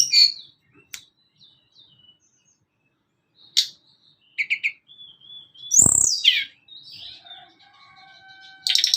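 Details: Sunda Robin song for training young and adult caged birds: scattered sharp clicks and brief trills, a level thin whistle, then a loud downward-sweeping note and buzzy chatter closing the phrase.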